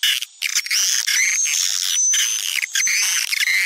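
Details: Swiftlet lure call, a sound popular in Sumatra for drawing in swiftlets: nearly unbroken high-pitched chattering trills laced with thin steady whistles, with two brief gaps.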